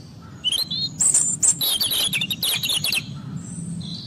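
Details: European robin pouring out a varied, high-pitched tumble of thin whistles and rapid twittering notes, some very high, with a low steady hum beneath.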